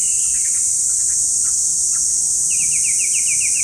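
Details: Chinese hwamei singing: a few faint slurred notes, then a quick run of about eight short, repeated whistled notes in the second half, over a steady loud hiss.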